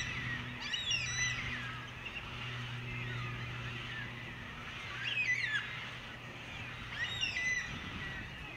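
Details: Female Carnaby's Black-Cockatoo preening a companion's head; three harsh, rasping, harmonic-rich calls bursting out near the start, middle and end, separated by quieter stretches over a steady low mechanical hum.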